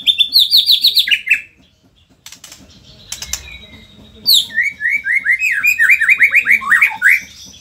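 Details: Vigorous white-rumped shama singing in Indonesia: fast series of bright, falling whistled notes, a quiet pause with faint clicks, then a longer rapid run of ringing descending notes.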